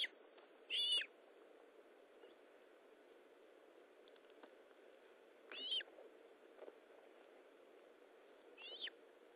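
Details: Osprey calling at the nest during a feeding on 19 July 2012, 9:43: three brief, high, strained whistled chirps spaced several seconds apart, the later ones weaker, against quiet hissing background noise.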